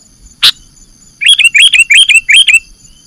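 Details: Bird-catching lure with sooty-headed bulbul calls: a single loud chirp, a pause, then five quick, evenly spaced chattering notes, each with a rising hooked tone, above a faint continuous hum.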